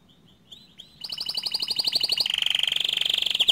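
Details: Green canary, bottle-green type, singing for tutoring young and untrained canaries: quiet soft notes at first, then a fast even trill that grows louder and shifts into a dense, ringing high warble.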